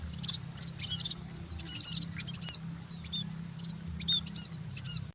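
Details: Scaly-breasted munias sunbathing give soft, high thin chirps and short whistled notes in scattered bursts, several birds calling over a low steady hum.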